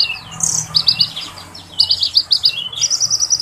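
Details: Oriental magpie-robin singing hot, rolling phrases of fill-in notes. A harsh burst leads to clipped high chirps with sliding whistles, then a steady rapid run of bright repeated notes.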